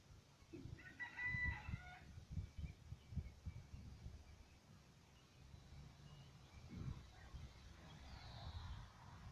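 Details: Young chickens playing around and chatting: one short, harmonic, squawking call rises near the start. Soft low thumps and rumbling noise fill the rest.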